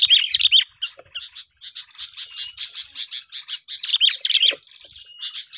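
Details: Sooty-headed bulbul chirping duel, a sound used to lure birds for trapping: a loud warbled opening, then a steady series of rapid high chirps, another warbled burst and a thin sustained tone.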